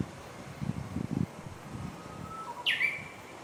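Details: Japanese bush warbler song recorded along the Oppe River walking path in Ogose town, 12 July 2021: a steady, long whistled note, then a sudden flourish of sharp, higher falling notes, with low rumbling noise beneath.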